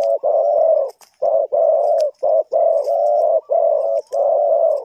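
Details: Cooing spotted dove used for bird trapping in Ninh Thuận, Vietnam: rich, low, slightly rolling hoots delivered in quick succession with short pauses, faint thin chirps above.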